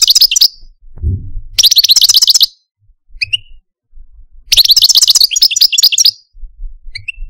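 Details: Male Algerian Parva goldfinch kept caged as a pet sings in repeated bursts of rapid, ringing trills, each about a second long, separated by pauses holding a few isolated short notes.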